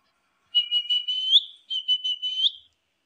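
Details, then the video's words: Pet parrot, kept as a talking bird, responds after being called with a clear high whistled phrase. Two bursts of four to five steady tonal notes each end in a brief upward flick, in a quiet indoor setting. "Talking Parrot"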